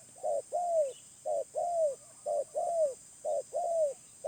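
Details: Wild spotted dove calling: low cooing phrases, each a short coo followed by a longer slurred coo, repeated about once a second, with a steady high hiss in the background.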